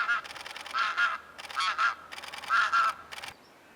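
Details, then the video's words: Flock of Cape Barren geese flying overhead at Phillip Island under blue sky, heading to drop down to a lake: harsh, nasal honks in loose bursts, several calls over a few seconds. "The Cape Barren geese, fantastic. You can hear them coming."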